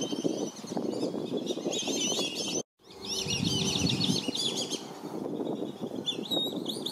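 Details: Black-bellied whistling ducks surround a family with five young at a Lakeland, Florida reserve while parents swim and fly at intruders; bouncy, rising-and-falling whistles chatter rapidly, with a brief silent break and heavy low rumbling.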